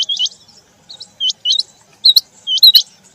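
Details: Quail, male and female, heard during rain, giving bright, clipped hooked whistles, singly and in quick doubles, closely spaced and loud, with a few faint clicks between.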